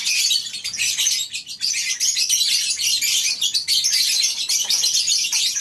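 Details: Morning at a lovebird breeding farm with birds kept in a colony aviary, a busy, unbroken chorus of high, scratchy chirps from many individuals.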